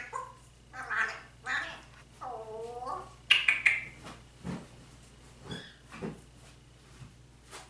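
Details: Talking African grey parrot calling its owner in Spanish and asking for turkey and chicken; a few word-like syllables, a clear harmonic drawn-out word, then sharp high squeaks followed by soft clicks and taps.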